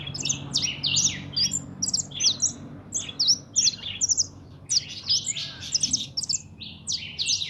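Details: European goldfinch (pintón), a kept bird, delivering quick liquid twitters and short nasal buzzes in rapid succession, all high and sparkling, with faint background hum.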